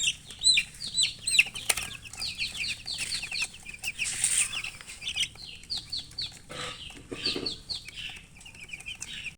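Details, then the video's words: Chirping of baby chicks: many high, falling peeps repeated quickly in overlapping bursts, with brief rustling and a low background hum. "Chicks Chirping"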